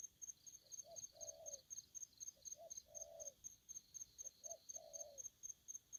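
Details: Spotted dove calling aggressively in three repeated phrases, each a faint lead note, a short coo and a longer, hoarse, level coo. Rapid, regular high ticks sound throughout.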